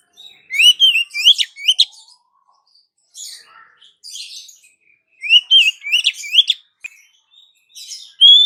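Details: Female Oriental magpie-robin calling the male delivers repeated bursts of quick rising whistled notes with harsh scratchy overtones, separated by short pauses with faint twitters.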